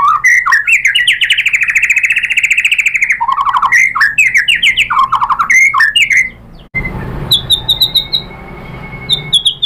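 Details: White-rumped shama song played to provoke rival shamas: rapid buzzy chattering phrases and warbled notes for six seconds, a brief break, then high thin repeated chips.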